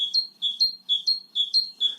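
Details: A great tit in a garden gives a squeaky, high two-note phrase, lower then higher, repeated about every half second; the rhythm is brisk and the sound grates like a squeaky gate.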